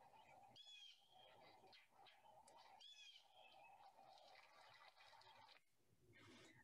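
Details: Two or three wild blue jays calling from bushes in a residential neighborhood in March 2021, heard during a dog walk: a few harsh, scratchy calls with layered overtones rise through the faint background murmur.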